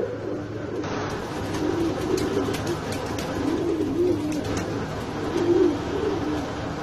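Fantail pigeons give soft, low, rolling coos that repeat at irregular intervals.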